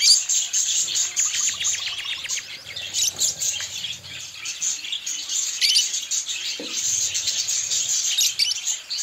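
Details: A colony of colorful budgies near their nests keeps up a busy, high chirping chorus with quick ticking notes and several overlapping voices.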